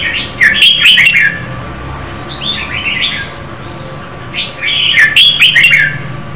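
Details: Singing female red-whiskered bulbul rousing a male: rapid tumbling notes in short phrases, some loud and clear, a quieter softer phrase in the middle, then a bright final flourish, with low hum beneath.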